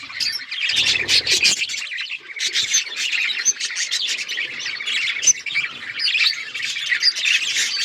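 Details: Pet budgerigars chattering together in a dense, continuous warble of bright chirps and scratchy squawks, overlapping without pause; a short low rumble near the first second.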